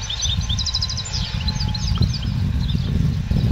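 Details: European goldfinch in a cage, educated 'a limpio', short one 'pirreo' in its opening. A fast series of high, clipped tinkling notes runs into scattered twitters, with a faint whistled line and continuous low rumble beneath.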